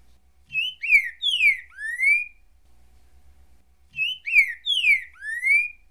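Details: A green-winged saltator (Saltator similis) sings the "currucutil boi" song type: a rich whistled phrase of four slurred notes, two falling and a final rising one, given twice about three and a half seconds apart.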